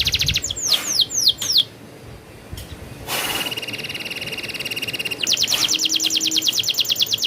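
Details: Singing canary with a rolling song: a few quick downward whistles, a short pause and a click, then fast high trills that build into a steady rolling series.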